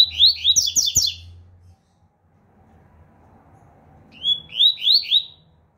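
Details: Double-collared seedeater, a fast-singing bird, delivering two short bursts of clear, sharp, rising whistled notes, each of about four or five notes, separated by a pause of roughly two and a half seconds, with a low hum at the start.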